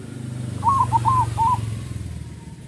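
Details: Local zebra dove with a loud voice, its song used to lure other zebra doves: a short phrase of four soft wavering coos, fairly faint under a steady low engine-like rumble and outdoor noise.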